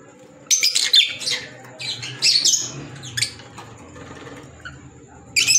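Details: Green Fischer's lovebirds, African lovebirds, giving short bursts of shrill, high squeaky chirps separated by quiet pauses, with a faint low hum in the background.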